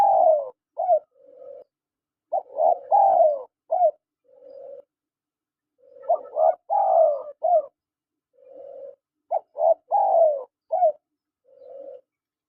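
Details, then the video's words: Male and female spotted doves calling: three repeated phrases about every three and a half seconds, each a run of short hoarse coos with a louder falling note and a soft low purring coo at the end. "SUARA PANGGILAN TEKUKUR JANTAN DAN TEKUKUR BETINA"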